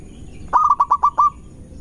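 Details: One short burst from a local zebra dove of Indonesia: six clipped, evenly spaced coos at a steady mid pitch, the final note drawn out, part of a fast song used to stir up rivals.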